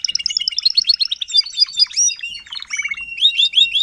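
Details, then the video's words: Adult Timbrado canary demonstrating song for young canaries, 2021: rapid strings of sharp repeated chirps, then swooping slurred notes and a quick descending rattle, all high-pitched and continuous. "TIMBRADO KANARIEN (gesang)"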